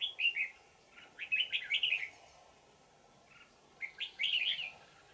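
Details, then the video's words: Decoy trapping of a wild red-whiskered bulbul, noted for its bell-like twisting voice, in Vietnam on 20 December 2018; rapid runs of bright warbled notes, a gap of about two seconds, then another lively phrase. "Bẫy chào mào Già rừng giọng chuông xoắn tít"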